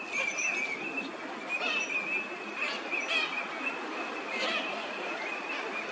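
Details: Eurasian teal (Anas crecca), wintering ducks in a park pond in Chiba, Japan, February 2024: several birds give short, high whistled notes in quick overlapping bursts above a steady rushing noise.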